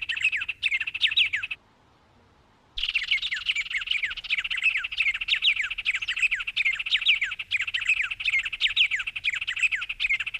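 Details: Brazilian Cerrado bird singing in fast, scratchy chirps and short down-sweeping notes packed closely together. The song breaks into about a second of silence, then resumes just as dense and continues steadily.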